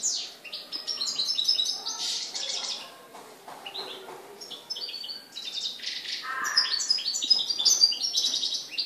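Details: Goldfinch song from Morocco, 4 December 2013: long runs of rapid, liquid twitters and buzzy trills at high pitch, continuing almost without break, with lower nasal notes mixed in near the end.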